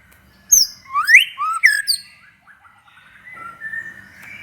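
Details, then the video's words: White-rumped shama song used to stir other shamas to sing: sharp clicks then fast rising whistled sweeps and chattering notes, fading into a softer, drawn-out warble. "SUARA BURUNG MURAI BATU GACOR INI"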